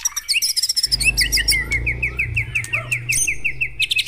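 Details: Morning recording of White-rumped shama song intended to stimulate caged birds: sweet whistled notes, then an even series of short chirps repeated about four times a second over a steady low hum.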